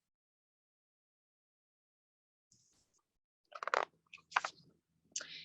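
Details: Silence at first, then crunching, chewing-like noises and brief voice-like bursts near the end, with a faint low hum and no animal voice.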